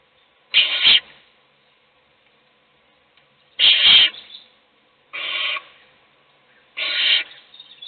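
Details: Nest-box owl, an adult feeding one chick while its siblings sleep; four hoarse hissing screeches, the first two nearly three seconds apart and the later ones closer, with faint scratching.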